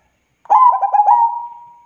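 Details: Single song phrase from a local zebra dove (perkutut): four fast bubbling coo notes flowing into a smooth sustained tone that slowly fades, in a quiet setting.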